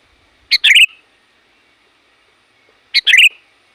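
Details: Two short sooty-headed bulbul call phrases, each a clipped chirp then a quick bubbling flourish, about two and a half seconds apart, used to lure wild bulbuls.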